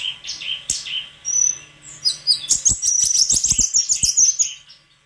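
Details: White-throated flycatcher singing: a few sweet high whistled notes and a thin level whistle, then a fast run of bright twittering, chirpy phrases packed closely together over the final half.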